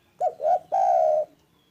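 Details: Spotted dove cooing loudly and clearly: two quick rounded notes followed by a long, level coo that sinks gently at the end, in otherwise quiet surroundings.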